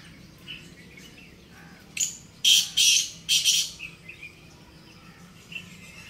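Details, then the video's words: Black francolin in jungle giving its harsh call, a short rasping note followed by three loud, buzzy, grating bursts within two seconds; softer bird chirps and a low background hum surround it. "Kala teetar ki jungle mn Khubsurst Bolari"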